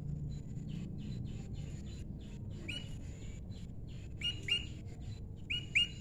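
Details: Prinia pair in the wild, faint notes at first, then loud sharp rising chips delivered in close pairs, over quiet low background noise.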